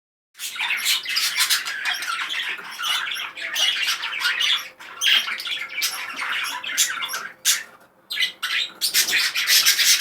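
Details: Excited male budgerigar singing a dense, scratchy warble of rapid chirps, clicks and squawky notes, almost unbroken for ten seconds, with brief pauses near the eighth second.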